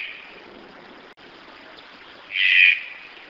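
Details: Red-breasted toucan giving a single loud, rough note lasting about half a second late in the recording, with the fading tail of an earlier call at the start and constant low hiss between.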